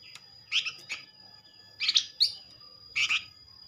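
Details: Quieter Flamboyan lure calls: scattered short high buzzy chips in small pairs and clusters, spaced about a second apart, over faint background hum.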